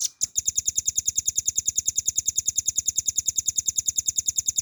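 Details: Velvet-fronted nuthatch in a clear cage-bird training recording in the long-firing ngebren style. After a short opening burst, a very fast, regular trill of shrill, high chips runs without a pause to the end, over four seconds.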